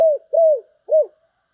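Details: Three short, mellow spotted dove coos in quick succession, each level then dipping at the end, from song of the 'sấm bầu' style.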